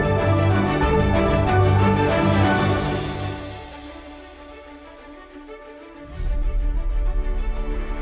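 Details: Only music is heard: a loud, rhythmic theme with a deep bass beat that fades, then swells back after a short rising sweep.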